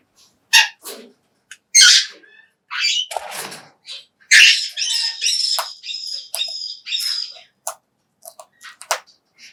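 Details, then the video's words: Captive Major Mitchell's cockatoo vocalizing while eating high-protein feed indoors: harsh, broadband squawks in short bursts, then a run of raspy, slightly tonal calls in the middle, with scattered clicks and quiet gaps. "메이저 미첼 코카투의 먹방!"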